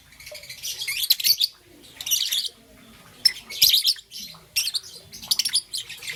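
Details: A young green and yellow peach-faced lovebird in the morning gives clustered bouts of bright, high, raspy chirps, each bout about half a second long and separated by short quiet spells.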